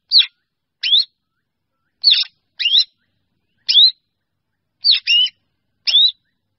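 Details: Black drongo summoning the flock: clear whistled notes that rise then dip, sometimes doubled in quick pairs. They repeat roughly once a second in an uneven pattern with no background noise.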